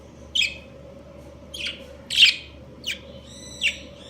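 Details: Budgerigar breeding pair chirping: five scratchy chirps at uneven intervals, the middle one loudest, one with a brief whistled overtone.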